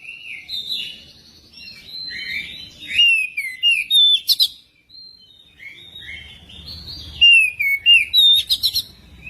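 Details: Magpie-robin singing, played to coax another magpie-robin into song: rich, varied phrases of whistled slurs, trills and sharp high chirps in two main bursts. Quieter warbling passages and a faint low background hum come between them.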